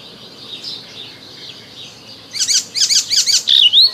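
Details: Icterine warbler singing in spring. A faint stretch gives way to a quick burst of varied, high chattering notes in tight clusters, ending with a clear, rising whistled slur.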